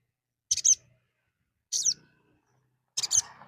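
A little spiderhunter gives three sharp, high, clipped chips, each about a second and a quarter apart, with quiet gaps between.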